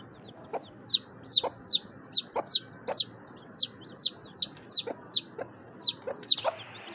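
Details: Grey francolin hen with chicks at hatching during the breeding season, eggs hatching in chaff: thin, high chick peeps repeated about twice a second in an uneven series, with soft, low clucks beneath and a steady background hum.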